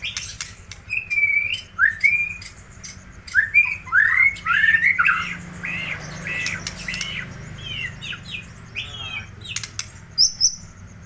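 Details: White-rumped shama from Aceh producing a string of short, sharp, evenly spaced whistled notes and chips, with scratchy clicks between and a steady low background hum.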